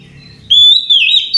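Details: Oriental magpie-robin in relaxed night song: after a quiet start, a long, loud, clear whistle that wavers slightly and is repeated in two bursts, ending with a short high note.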